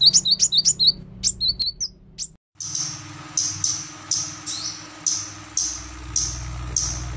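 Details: Female pied fantail kept as a lure bird: a quick burst of sharp, high chip notes, then after a brief pause a slower series of thin, high whistled notes spaced under a second apart, with a faint steady hum behind.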